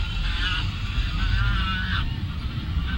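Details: A few drawn-out, slightly wavering goose honks by the lake at Lagoa Maior, Três Lagoas, set against a heavy low background drone.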